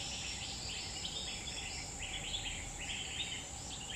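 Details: In Central Kalimantan forest, a wild grey-bellied bulbul gives separated bursts of bright, chattering notes about a second apart, set against a steady high-pitched insect buzz.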